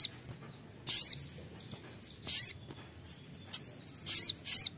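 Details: Sunbird lure song for provoking singing: widely spaced brief bursts of high, squeaky chirps and short down-slurred notes, separated by near-silence.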